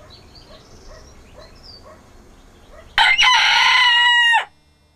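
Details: A rooster crowing in the morning gives one loud, harsh crow lasting about a second and a half, rising then holding steady before cutting off, after quiet background chatter.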